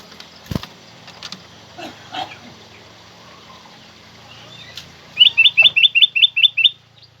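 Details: Black-crested bulbul, loud and clear, used as a training recording to make kept bulbuls sing and as a lure call: faint scattered sounds, then a quick run of eight sharp, bright repeated notes near the end.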